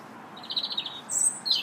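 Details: Robin singing in a park on 2 March: a short run of quick warbled notes around mid-high pitch, then a thin, very high squeaky phrase and a falling high note at the end.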